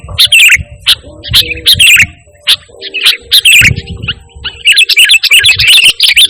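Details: Singing sooty-headed bulbul, pure song without borrowed phrases, played as a lure and master sound for training. Scattered bright chirps give way to a rapid, tumbling warble at the end.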